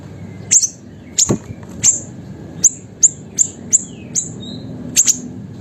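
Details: Pet siri-siri, a small active singer offered as master material to train and stimulate songbirds. About ten crisp, very high clicks spaced roughly half a second apart, with a low hum underneath.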